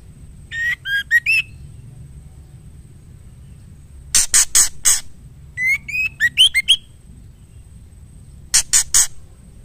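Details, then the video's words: Female white-rumped shama calling to the male. Whistled four-note phrases rising at their ends, interspersed with clusters of loud, dry, rasping bursts, repeated several times. "Murai betina gacor memanggil jantan"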